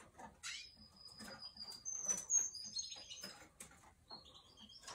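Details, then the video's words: Russian canary singing: thin sustained whistles near the top of the range, a long level tone drawn out for about a second, with scattered chirps and soft clicks between phrases. "RUSSIAN CANARY SINGING"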